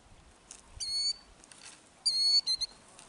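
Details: Killdeer at Kananaskis, Alberta, Canada, guarding its ground-scrape nest of eggs with an injury-faking distraction display: two loud, piercing, drawn-out high whistles, the second followed by two short clipped notes, over a quiet background.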